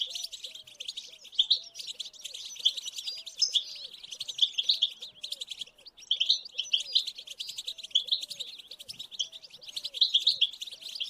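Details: Goldfinch song for coaxing a silent caged goldfinch into singing: a fast, unbroken stream of high twittering and tinkling notes, over a soft low arched note that repeats about twice per second throughout.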